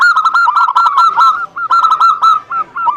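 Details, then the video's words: Zebra dove lure song for a bird that will not sing: two dense bursts of quick, ringing, hooked cooing notes, each fading into a few slower, separate coos. "PANCINGAN SUPER AMPUH UNTUK PERKUTUT MALAS BUNYI"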